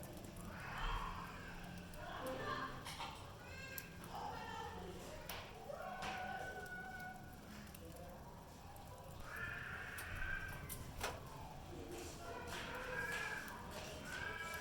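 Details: Budgerigars at feed time chatter in bursts of warbling, squeaky notes mixed with short harsh chirps.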